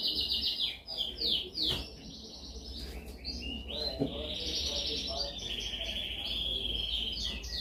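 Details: Canary training song, described as especially dominant: rolling, repeated down-slurred notes give way to a long, even, rattling trill held for several seconds, with a low background hum.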